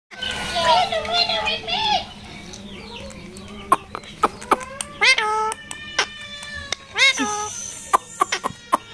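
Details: Talking pet parakeet (tiya pakhi) at the Mirpur 1 bird market, Dhaka, Bangladesh: a run of raspy voice-like syllables, then two drawn-out nasal falling calls, over scattered clicks and a steady low hum.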